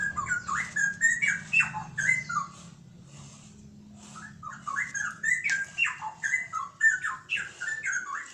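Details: Straw-headed bulbul song of bubbling, warbled whistles in quick bursts, one lull near the middle, then more fluty rising and falling notes over a constant low background drone.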